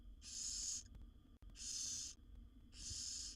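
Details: Wild barn owl owlets, seven in a nest box, begging while their mother feeds them: long, breathy hissing snores, each about half a second, repeated roughly every second, over a low steady hum.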